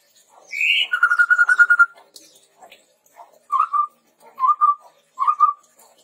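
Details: Red-rumped tepus recording used as a lure and tutor for training birds: a rising whistle, then a long trembling whistled note, then three short clear whistles about a second apart.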